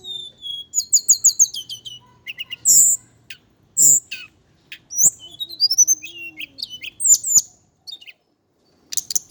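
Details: Indigo flycatcher, male, Java: a quick series of high repeated chirps opens, then sharp sweeping whistles and descending thin phrases, ending in scattered faint notes and silence.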